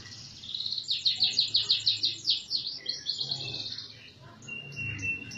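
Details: Canary song used to train other birds, a quick series of high chattering notes repeated rapidly over a low background hum, fading into softer notes.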